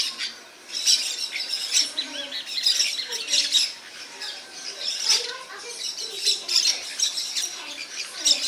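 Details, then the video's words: A group of parakeets keeps up raspy, scratchy squawks, loud bursts arriving about once a second over a continuous bed of softer chatter from other birds. "Maritacas (ou como é bom ouvir os pássaros)"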